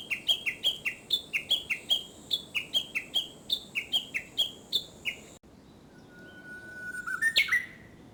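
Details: In early summer, a Japanese bush warbler gives a rapid run of repeated falling chirps for five seconds, then after a pause a long steady whistle ending in a bright rising-falling flourish.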